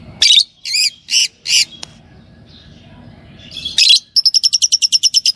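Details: Caged green Fischer's lovebird pair calling loudly: four harsh, screechy chirps in quick succession, a short pause, another shrill squawk, then a rapid run of about a dozen sharp ticking notes.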